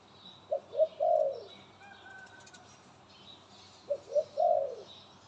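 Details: A pet dove kept by its owner coos in two phrases, each of short notes ending in a longer rolling coo. The phrases are separated by a quiet pause, with faint high chirps and a brief hum in the background.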